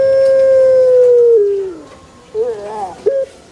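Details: A Pelung chicken holds a long, even crowing note for well over a second before it slides down and fades, followed by short wavering notes and a brief rising call.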